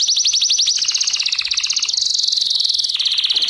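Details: Canary song from a training lesson: dense rapid trills high in pitch, layered and shifting slightly lower and back, continuous throughout.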